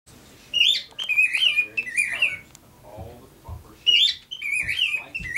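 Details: Pet male cockatiel singing, kept indoors with a female: bright whistled phrases around 2–4k, two bursts of rapid warbling notes each about a second and a half, separated by quieter low household noise and faint voices.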